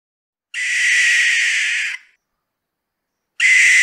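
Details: Owl giving a harsh, hissing shriek lasting about one and a half seconds, with a steady tone running through the rasp, followed after a silent gap by the start of a second shriek.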